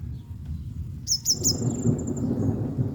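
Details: Female yellow-bellied sunbird, drenched by rain and drying herself, gives three quick, thin, high chips trailing into a faint whistle as a roll of thunder and rain noise swells.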